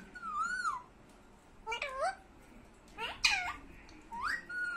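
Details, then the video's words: Talking parrot indoors making a wavering whistle, then harsher squawky calls with sharp upward sweeps, ending in a rising whistle, with pauses between and a steady background hiss. "Talking parrot"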